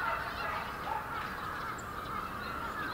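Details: February 2019 winter flock of numerous bramblings at Yoyogi Park, a tightly packed chorus of overlapping calls with one distinct high note standing out midway.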